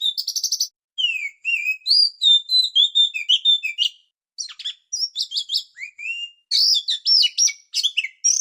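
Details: Kacer (magpie-robin) used as a trapping lure: clear varied phrases of high whistled notes, slurs and quick buzzy trills, delivered in short bursts about two per second with brief silent gaps between runs.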